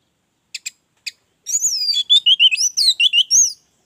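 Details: An orange-headed thrush, played as a lure to get other thrushes singing, gives a few dry ticks, then a fast, rich run of varied high whistles that swoop and jump in pitch for about two seconds.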